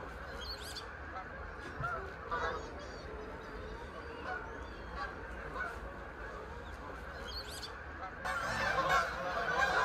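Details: A large flock of Canada geese in the UK passes overhead in a mass flyover, a constant overlapping din of nasal honks that grows louder and harsher near the end.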